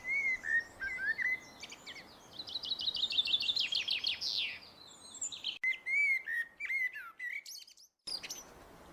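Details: Common blackbird song: clear fluted phrases at the start and again later, with a fast buzzy trill from another bird in between and brief high squeaky notes.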